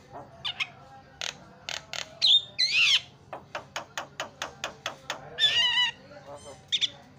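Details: Javan myna (jalak kebo) isian filler song, a lure for other birds: a few sharp whistled squeals and rough notes among a steady run of evenly spaced clicking ticks, with a harsh burst near the end.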